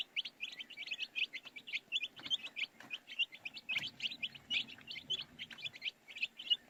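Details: Baby chicks peeping constantly, a rapid stream of short high-pitched chirps from several birds overlapping, several notes each second, with no other clear sounds.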